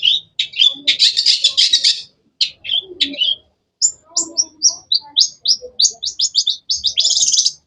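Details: Energetic cendet (long-tailed shrike) vocalizing: harsh buzzy chatter for two seconds, several sharp chirps, then a fast series of clipped, downward-flicking high notes speeding into a dense final burst.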